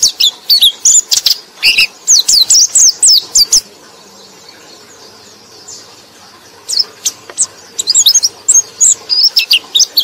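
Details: White-eye (pleci) song as a lure for sluggish white-eyes: bursts of rapid, high, sweet twittering notes, broken by a roughly three-second silence before the chatter resumes.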